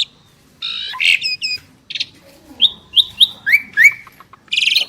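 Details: Asian pied starling duet by two prized birds: a harsh burst, a quiet gap, then a row of clear sliding whistles, each dropping in pitch, closing with raspy chatter.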